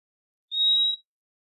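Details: Purple-throated euphonia (Euphonia chlorotica), song: a single clear, steady, high whistle lasting about half a second, with silence before and after; the whistled song is used for contact.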